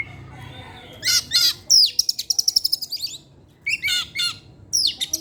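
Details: Oriental magpie-robin sings in the afternoon: harsh buzzy notes lead into a fast rattling trill of about a dozen pulses, then more grating bursts and a descending sweep, showing its varied material.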